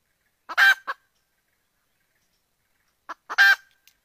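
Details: Female red junglefowl calling to attract a rooster for mating: two phrases, each a loud harsh squawk framed by short clipped notes, separated by about two and a half seconds of silence.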